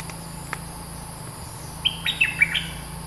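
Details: Bulbul described as the aggressive dominant bird of its area sings a short burst of clear, slurred whistles late in the stretch after a quiet start with a few faint clicks and steady background hum.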